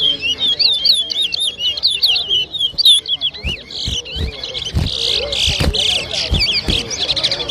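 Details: Whistling competition of towa towa birds on Arrival Day 2023 at a Diamond, Guyana bird ground: quick, bright zigzag whistles pour out continuously, with low chatter and knocks from onlookers.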